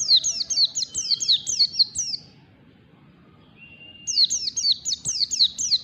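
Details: White-eye learning the ngalas song style, long standard form: rapid runs of high descending chirps, each slurring sharply downward, about two a second, a thin rising whistle before each burst, a silent gap between bursts.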